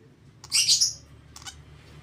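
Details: Hand-fed lovebird chick aged 32 days gives one harsh rasping begging squeal, followed by a faint short click, with a low steady hum behind.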